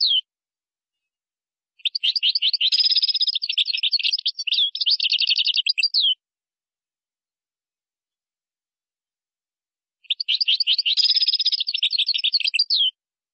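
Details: European goldfinch song in the Moroccan style, featuring phrases called gazrat and srrr bertbertiu. Two long bursts of fast, evenly repeated ringing notes with a rolling trilled quality, each about four seconds, separated by a silent pause.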